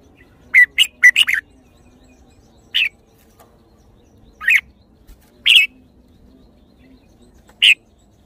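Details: Red-whiskered bulbul singing a quick cluster of sharp chirped notes, then single bright whistled notes spaced one to two seconds apart, in an otherwise quiet setting with faint low hum.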